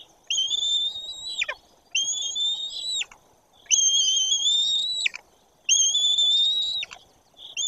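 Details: White-tailed eagles at a nest in Bory Tucholskie as a parent arrives, the younger eaglet not reacting; a series of four high, thin whistled calls, each about a second long, slightly rising, then dropping sharply at the end.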